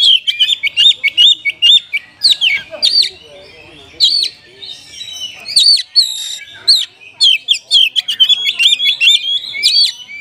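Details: Lively Oriental magpie-robin song filled with varied mimicry, aimed at rousing a lazy caged bird: bursts of sharp, rapid chips and rising whistles alternating with brief quieter spells.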